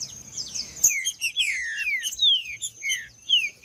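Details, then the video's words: In fighting mode, a green-winged saltator delivers loud, downward-sliding whistles after a brief burst of low rumble, spaced roughly half a second apart, with a faint steady high tone throughout. "Trinca-ferro Macheando"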